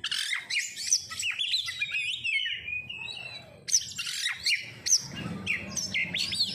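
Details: Oriental magpie-robin, called kacer, in a lure recording to make birds sing: bright, piercing whistles and fast chattering bursts, with a long descending whistle in the middle and rapid sharp notes at the end.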